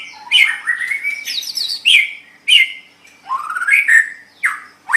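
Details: White-rumped shama song used to train pet songbirds: loud rising whistled phrases and sweeping notes in separate bursts about every second, with short pauses between.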